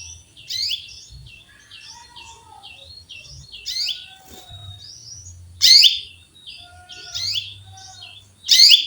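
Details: A female canary calls a male with loud, explosive chirps at uneven intervals, separated by softer, repeated twittering notes.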